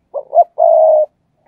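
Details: Luring coo of a captive spotted dove decoy: a pair of short notes, a brief gap, then a long flat coo, followed by a faint trailing murmur.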